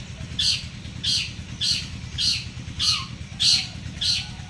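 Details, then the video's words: Paired champion long-tailed shrikes from Madura and Bojonegoro: seven evenly spaced, loud scratchy rasping notes about two per second, each a brief noisy burst, with a quiet low hum in the background. "DUA JUARA BURUNG CENDET DI SANDINGKAN ,LOKAL MADURA VS LOKAL BOJONEGORO"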